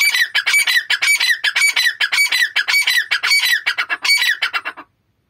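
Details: A pair of grey francolins calls together in a loud, harsh, ringing chorus of quickly repeated notes, nearly two per second, for about five seconds before stopping abruptly.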